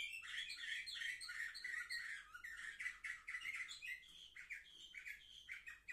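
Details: Canaries aged seven months, recorded on 10 November 2023, singing a busy song of rapid chattering trills and buzzy rolls, steady throughout with short breaks.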